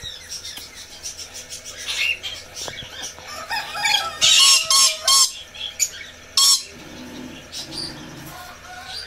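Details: Red lory, a parrot species: harsh, loud broadband screeches in short bursts near the middle and end, with softer chattering and rustling noise between them.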